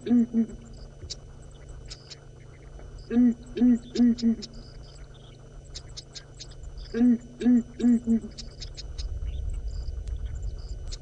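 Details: Before sunrise on 25 February 2018 at Djuma Game Reserve, Sabi Sand, South Africa, an unseen Southern Ground Hornbill in a marula tree gives deep, hollow booms in two bursts of four, about four seconds apart, over faint insect ticking.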